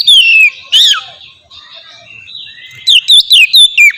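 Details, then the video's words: Oriental magpie-robin singing as a lure for other magpie-robins: a descending whistle and a sharp swooping note, a soft pause with a faint rising whistle, then a burst of rapid chirps. "suara burung kacer ngeplong merdu sangat ampuh buat pancingan kacer bahan bikin cepat gacor"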